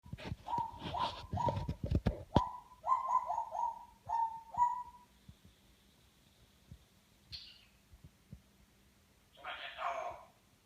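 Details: A pet Congo African grey parrot named... imitating a dog's bark: a burst of rough, mid-pitched woofs, then four or five clipped barks about half a second apart, followed by scattered softer noises.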